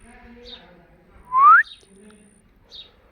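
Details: A pet blue-variety rose-ringed (ringneck) parakeet, a talking parrot, gives one loud, clear whistle that sweeps upward, with a few faint high chirps and quiet talking in the background.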